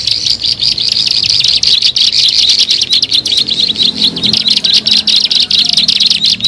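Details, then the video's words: Bar-winged prinia lure recording: loud, fast series of sharp high chips forming a continuous chatter, with faint low background noise. "SUARA MP3 PIKAT BURUNG CIBLEK SAWAH"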